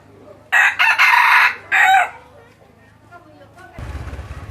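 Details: Red junglefowl decoy bird, a crossbred fighting-line rooster, crowing once: a loud broken crow of several harsh bursts over about one and a half seconds, followed by quiet background and a burst of noise near the end.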